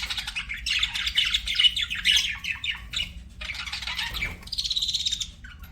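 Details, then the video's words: Pet budgies singing: a run of scratchy warbled phrases, a brief pause, then a fast, even trill of repeated buzzy notes. "BUDGIES SINGING & CHIRPING"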